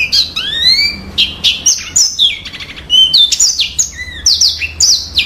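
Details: Lively yellow-fronted canary song mixing long rising whistles, buzzy trilled notes and quick chirps. Short phrases repeat at a steady pace through the whole stretch.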